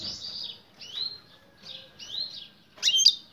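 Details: Female European goldfinch calling to get the male to mate; four soft slurred, rising notes spaced about half a second apart, then a sharp bright chirp.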